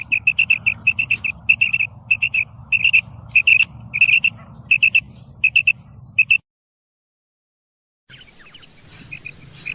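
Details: Female common quail in a field: bright, short high notes grouped in pairs and triplets, repeated roughly twice a second over a low rumble, then a brief silence and softer field sounds.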